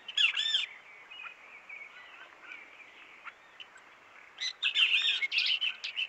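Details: Wild diademed tanager in the bush: a short burst of rich, rapid twittering notes opens, soft chirps follow in between, then a longer lively run of warbled, jumbled notes near the end.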